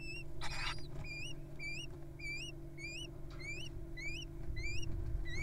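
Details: Little owls begging at feeding time in the wild: regular, thin upslurred squeaks repeated about every half second after an early rustle, over continuous low hum.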